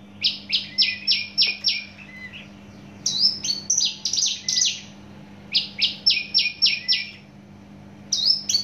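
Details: Javan bush lark from Java in fast, loud song: rapid series of five or six high, clipped buzzy notes, then varied slurred whistles, phrases repeated after brief gaps, with a faint constant electrical hum.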